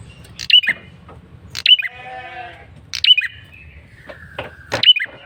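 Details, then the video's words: Bar-winged prinia male calling insistently as a lure, loud clipped chirps repeated roughly every one and a half seconds, with a wavering nasal harmonic sound and a thin buzzy trill in the gaps. "Suara PIKAT prenjak kepala merah jantan GACOR NGOTOT"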